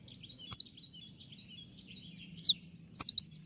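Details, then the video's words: Moulting konin producing a few sharp, high 'tembakan' shot notes, with a downslurred whistle and a quick double chirp among soft twittering. "dengan suara tembakan seperti ini pasti bikin kelas kicau koninmu melecit tinggi"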